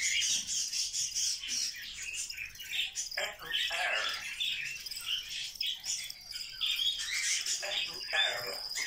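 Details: Grey parrot kept as a pet, chattering constantly all day: rapid, high-pitched mimicked speech, whistles and chirps in quick bursts with barely a pause, plus a sustained whistled tone near the end.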